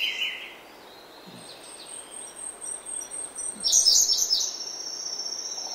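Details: Early-morning song of a grey-backed thrush in oak woodland: a lower burst at the start, then a loud, rich, high warbled phrase midway, over a constant thin high-pitched drone in the background.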